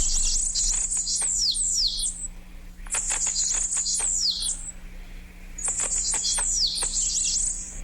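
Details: A Bananaquit gives very high, thin, wheezy buzzing phrases with squeaky down-slurred notes, three bursts about two seconds each, over a faint low hum.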